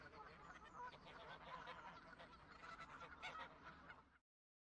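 A flock of geese honking together, a dense overlapping chorus of nasal, mid-pitched honks, about three a second, with no pause throughout.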